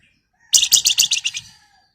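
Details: Female flamboyan calling to a male, giving a fast series of about seven sharp, high, buzzy chattering notes that fade toward the end.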